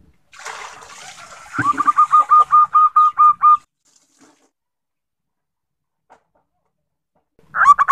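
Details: Female zebra dove recorded as a lure to get males singing: after a noisy, splashy start, a fast run of about eight clipped, evenly spaced coos follows, each with a quick upward flick, then silence and a fresh burst at the end.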